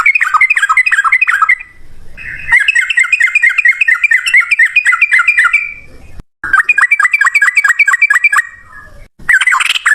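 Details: Rapid 'ropel ngalas' song of a Sooty-headed bulbul, played as a lure so birds respond: long bursts of chattering, bouncy whistled notes in dense series, broken by brief silences and a short low rumble.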